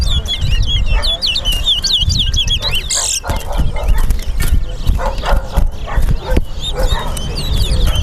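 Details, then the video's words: Towa towa singing in a bird race at the Lamaha and Vlissengen Road bird ground in Guyana. Quick whistled, looping phrases are repeated at a fast pace over a steady low hum, crowd chatter and occasional bangs. "TOWA TOWA BIRD RACE"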